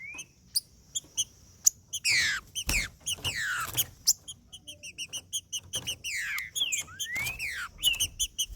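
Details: Green-winged saltator male singing its macheando song, used to warm up other males: loud whistled notes slurring down and up, mixed with frequent sharp clicking chips and faint low background noise.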